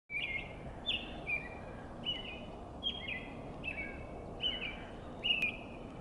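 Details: Robin singing on a foggy spring morning: short clear whistled phrases, each slightly rising or falling, repeated roughly once a second in an even series, over steady low rumbling background noise with one brief sharp click.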